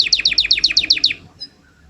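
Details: Canary singing a short burst of about ten rapid, evenly spaced bright notes with a descending slur, fading out after just over a second.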